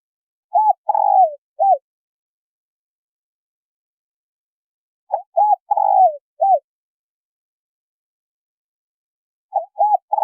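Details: Spotted doves, male and female, in a lure call for wild birds: clean, short bouts of three to five soft hooting coos, some slightly falling, separated by about four seconds of silence.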